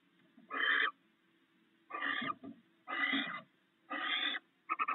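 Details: Pair of barn owls at the nest sharing a meal of rats. Five hoarse, noisy screeches about a second apart, quieter and more muffled, ending in a quick stuttered burst.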